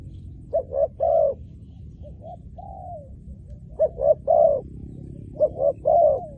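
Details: Spotted dove calling, used to lure wild doves: three groups of low, hollow coos, each a couple of short notes then a longer drawn-out coo, with quiet gaps and a soft background hum.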